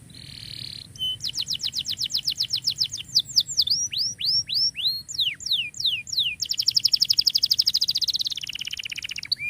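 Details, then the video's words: Canary in full song, offered as a tutor for canaries that stopped singing: a short buzzy note, then long runs of rapid repeated chips, a series of downward-sweeping whistles, and a dense high trill that drops lower at the end. "KENARI GACOR COCOK BUAT MASTERAN KENARI MACET"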